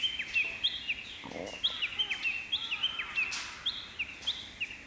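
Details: Japanese bush warbler in May, perched on a pampas grass plume on a morning and singing; high whistled phrases with quick down-slurred notes repeat steadily, with a faint lower chirp from another bird.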